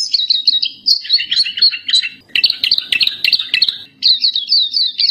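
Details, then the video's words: Continuous, varied twittering from a black-capped white-eye: fast high chirps mixed with some lower notes in a dense, chattering flow, broken by only brief dips. "suara burung Pleci Topi Hitam/Dahi Hitam gacor"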